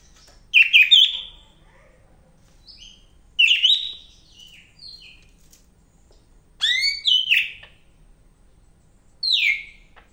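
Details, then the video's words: Cak ijo medan, the greater green leafbird, in lively full song: four rich phrases of mixed whistles and quick chattering slurs, spaced about three seconds apart against a quiet background. "BURUNG CAK IJO MEDAN GACOR NGAMUK"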